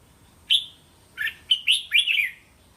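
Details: Training song of a red-whiskered bulbul for young caged birds to answer, 3-5 syllable phrases: a sharp clear whistle, a pause, then a tumbling burst of four warbled, slurred notes.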